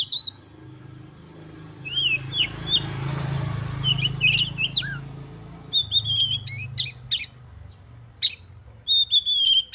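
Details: Oriental magpie-robin, highly excited, singing to stir other magpie-robins: scattered sharp chirps and whistles, then a rapid run of short notes, over a steady low rumbling background.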